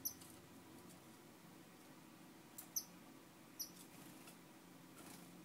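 Star finch giving three very high, thin, brief chips, spaced irregularly over a few seconds, against a faint low hum.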